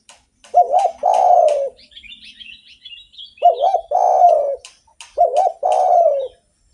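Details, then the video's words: Spotted dove singing actively, used as a lure for other doves: two low cooing phrases, each a short wavering note then a long sustained coo that slides downward, separated by a pause, with sharp clicking sounds in the background. "SUARA BURUNG DERKUKU GACOR ENAK DIDENGAR || BAGUS BUAT PANCINGAN"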